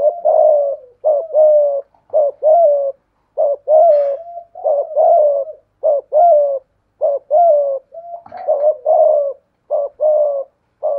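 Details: Decoy spotted dove with a 'thổ pha thúc' cooing voice facing a wild dove: a fairly regular train of short hoarse coo notes in twos and threes, nearly one per second, with two faint sharp clicks.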